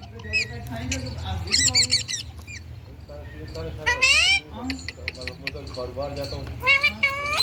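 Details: Indian ringneck parakeet talking and squawking: mixed speech-like syllables, clicks and harsh rising calls in irregular bursts, about one every two to three seconds.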